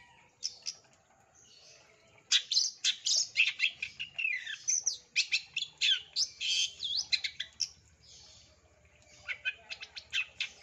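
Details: Long-tailed shrike lure song in the 'isian tembakan' style: after quiet scattered notes, a loud rapid volley of high chirps, slurred whistles and harsh buzzes for several seconds, then a lull and a further short burst.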